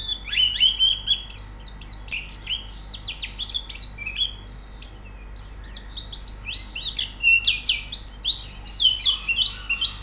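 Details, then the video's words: White-eye song as training audio for a pleci to sing; ten seconds of rapid, sharp, high twittering in dense bursts, with a short quieter stretch around the fourth second. "Terapi Pleci Cepat Gacor Buka Paruh"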